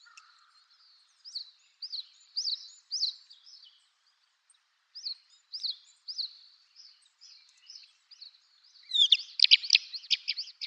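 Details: A lark, labelled as a red-capped lark and recorded as a passage migrant on Yonaguni Island, Japan, gives short, dry, high chirps two or three a second, ending in a quicker, rattling burst; identified as a greater short-toed lark.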